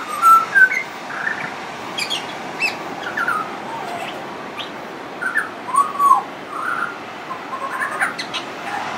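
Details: Pied butcherbird in continuous song, friendly and said to mimic other sounds: clear whistled notes and slurred warbles at mid pitch, interspersed with thin high chirps, phrases irregularly spaced over a steady background hiss.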